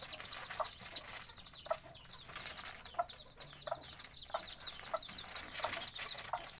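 Bantam chicks peep constantly in high, thin, downward-slurred notes, with occasional soft thumps and clucks.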